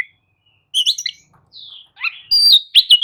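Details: An Oriental magpie-robin sings a varied run of sweet whistles, rising slurs and quick chattering notes, loud and clear against a quiet background; the recording is meant to prompt sluggish captive magpie-robins to answer and sing.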